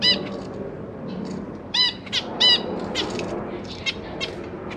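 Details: Zebra finch family in a large cage, parents busy feeding three juvenile and three new babies, January 2023, GoPro recording; several sharp, nasal toy-trumpet calls at irregular intervals, mixed with quieter high chirps and faint rustling.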